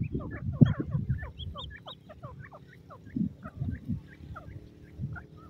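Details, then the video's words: Calling male grey francolin giving a rapid, uneven series of short whistled notes, some climbing higher, over a quiet low rumbling background. "nar teetar ki awaz"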